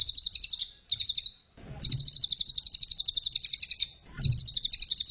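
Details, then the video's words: Brown cililin, used as a master bird for training songbirds, sings long runs of rapid high chattering notes, about four per second, broken by brief pauses filled with soft low thumps. "Burung cililin coklat‼️masteran handal"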